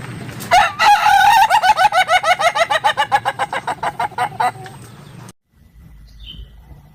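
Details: Ayam Ketawa (laughing chicken) crowing: a long run of rapid, evenly spaced pulsed notes, roughly three to four per second, gradually fading over about four seconds before stopping, followed by near quiet.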